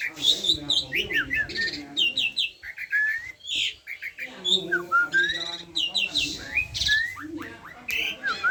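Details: Varied song of an Asian pied starling, mixing liquid whistled slurs, scratchy buzzes and clicking chatter in quick irregular phrases with brief pauses between.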